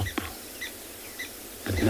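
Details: Blacksmith lapwing heard in the distance in the background at sunrise in Tswalu Kalahari Reserve, South Africa, on 14 January: faint metallic clinking notes about every half second. A man's voice starts at the end.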